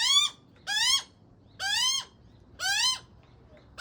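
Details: Australian magpie fledgling begging from its father with four drawn-out, rising, nasal squawks spaced about a second apart, silence between.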